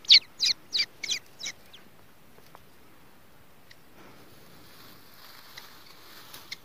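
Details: Grey francolin chick on its first day: five loud, high, buzzy peeps in quick succession, then near silence with faint soft rustling.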